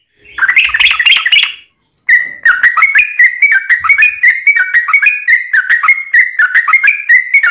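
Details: Energetic 'ropel panjang' song of a yellow-vented bulbul played to prompt other bulbuls to answer; opens with a dense scratchy burst, a short gap, then a steady stream of bubbly slurred whistles.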